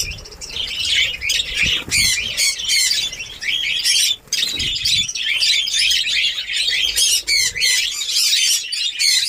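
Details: Caged budgerigars in a breeding colony in Darbhanga, Bihar, as breeding starts: continuous high, scratchy twittering and warbled chirps from many birds, with faint low knocks now and then.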